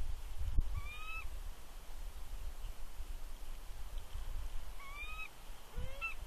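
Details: Female bald eagle at her Big Bear nest, 2 March 2020, calling a warning while an unidentified adult eagle intrudes. Brief upslurred whistled notes in two short bursts over steady low wind-like rumble, with a thud near the start.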